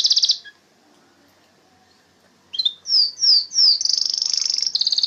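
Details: Canary song: a brief high trill, a pause, then descending whistled slurs and a rapid high buzzy trill near the end.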